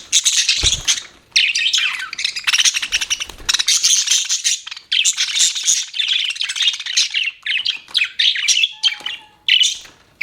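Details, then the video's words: Budgerigar chirping almost continuously, a dense rasping warble of clicks and squeaky notes with few breaks, plus one soft low thud near the start. "BUDGIE CHIRPING SOUNDS"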